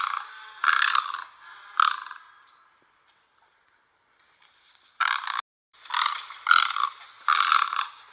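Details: Rough, croaking squawks from a great egret (white heron). Three grating calls open the recording, then a brief lull, then four more coarse bursts in close succession.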